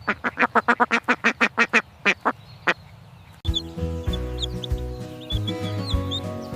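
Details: A small black farm duck gives a fast run of harsh, nasal quacks, about four each second, before music begins.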